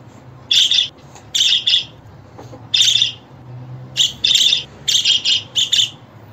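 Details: Grating budgerigar chirps arrive in bunches of two or three, separated by quiet stretches of about a second, with a low hum beneath.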